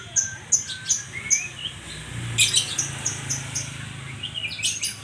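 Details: A white-rumped shama repeats a high, ringing note four times, then breaks into a rich jumble of whistles and bright chips over a soft low hum.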